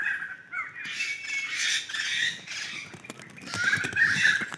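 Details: Wild laughingthrushes calling as a flock in forest on Sumatra: rough, cawing chatter that swells and fades. A clear whistled note opens the section, and the noisiest burst comes near the end.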